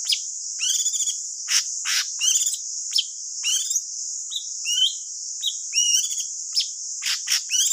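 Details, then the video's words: Thanh tước bird singing as a trapping lure: irregular twittering phrases, short whistled slurs and scratchy bursts, with a steady high insect-like hiss throughout. "Chim thanh tước hót gọi bẫy là dính 100% , suab paj tsawb ntsuab quaj dib tuaj zoo"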